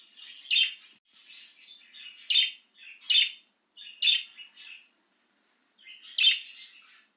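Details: Budgerigar out of its cage, excited, mixing soft chattering twitters with loud sharp chirps in a near-continuous run, then a pause and one final chirp.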